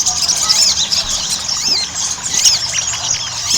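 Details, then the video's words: Ruby-cheeked sunbird chatter meant as a singing lure. Short bursts of very high, thin squeaks and arched whistles, some sharp clicks between, over steady hissing noise. "PANCINGAN SOGON AGAR CEPAT GACOR"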